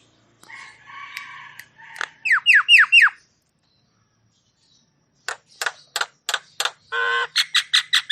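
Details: Javan myna song used to rouse stressed or silent mynas: a buzzy hum, then four loud falling whistles, a gap, and a run of sharp broadband clicks ending in harsh chattering notes.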